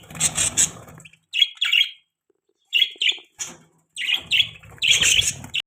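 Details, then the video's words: Several happy budgerigars chirping in the morning: high, scratchy, warbling chatter in short bursts separated by brief pauses, with soft indoor background rustle. "Happy Budgies Chirping Sounds Morning Time"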